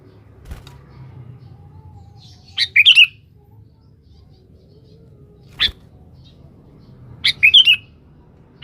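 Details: Sooty-headed bulbul in full song, calling a rival, used as a lure: two short bubbly, warbling phrases of three to four notes about five seconds apart, with faint clicks and low background hum between.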